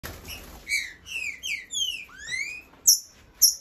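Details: Caged male green-winged saltator, a tournament competition bird, singing eagerly as though ready to fight, recorded on 19 July: a string of clear whistled slurred notes sliding down then rising, ending with two sharp high notes.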